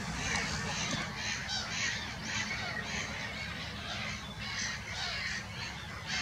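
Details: Black-headed gulls at Monikie give harsh, grating cries, about two a second, from several birds at once, over a steady low rumble of wind or distant traffic.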